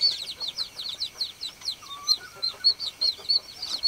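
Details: Baby chickens peeping: rapid, high, downslurred chirps from several chicks overlap almost continuously, with a faint lower drawn-out whistle near the middle and a constant thin high tone underneath.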